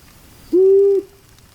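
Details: Long-eared owl, secretive and heard at dusk in dense forest or old pine groves, gives one soft, low, sigh-like hoot, steady in pitch and about half a second long, against a quiet background.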